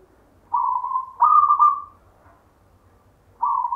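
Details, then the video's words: Local zebra dove of wild stock, 'gayer' song style, kept from a grandfather: a mellow coo, then a slightly higher, wavering cooing phrase, a pause, and a new coo beginning. Background quiet. "perkutut LOKAL alam GAYER tinggalan SIMBAH suara irama"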